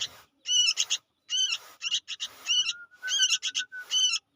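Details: Young sooty-headed bulbul giving loud, harsh, raspy calls in short bursts of two or three notes, repeated roughly every three-quarters of a second, with a faint thin whistle between bursts.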